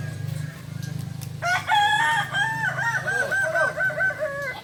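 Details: Kokok Balenggek rooster, a native chicken of Solok, West Sumatra, Indonesia, at crowing practice: a long multi-syllable crow of stepped, wavering harmonic notes after a low steady hum, rising in loudness then rolling on in rhythmic segments.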